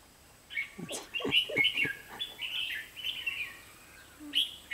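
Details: Red-whiskered bulbul used as a decoy while trapping wild bulbuls on 23 October 2016: bright, chattering whistled phrases with quick rising and falling notes, some sharp clicks and taps in between.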